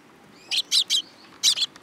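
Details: Young sparrows perched on a hand at a Tenmangu shrine in Japan, July 2022: short harsh chirps, a pair of quick notes then two more after a pause, bright and noisy, with faint background hiss.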